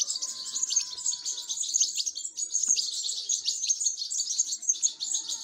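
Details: Young European goldfinches begging during feeding: a steady, high, chattering wall of quick buzzy chirps, with a faint thin whistle-like tone lying underneath early on.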